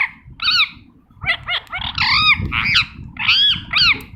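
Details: Green ringneck parrot, called a talking parrot, producing bursts of scratchy, bending squawks and gabbling syllables, loud and closely spaced, against low background rumble.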